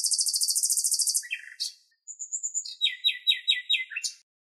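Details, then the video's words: Common nightingale singing in Greek nature: a rapid high stuttering trill, a low churr, then a thin whistle leading into a series of evenly repeated downslurred notes. "Αηδόνι Αηδόνια Κελάηδημα - Common Nightingales Fantastic Song"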